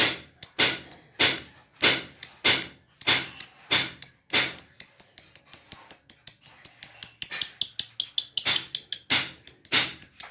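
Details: Lovebird singing in the ngekek style: a fast run of sharp, high, clicking chirps, first in separate bursts, then merging into an unbroken rapid trill near the end.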